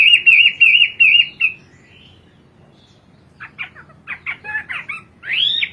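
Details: Hwamei from China, kept in Indonesia for its melodious song, in 'kowor kowor' mode: a rapid wavering trill for about 1.5 seconds, a silence, then stuttering, sharp notes and a closing upward-swooping whistle.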